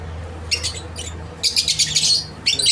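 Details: Captive lovebirds in a Karachi breeding setup of mutations including creamino, opaline, dun fallow and parblue, uttering sharp, high-pitched chattering chirps in quick clusters separated by short pauses, over a low room hum.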